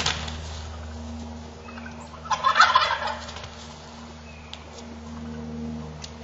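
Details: Wild turkey toms fighting: one loud, rough, rattling gobble burst of about a second in the middle, with quieter scattered notes before and after, over a steady low mechanical hum.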